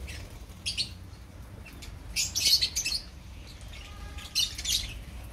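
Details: Opaline lovebirds in a colony giving bursts of high, harsh chirps and twitters in short clusters, with quieter gaps between, some wing flutter and a low background hum.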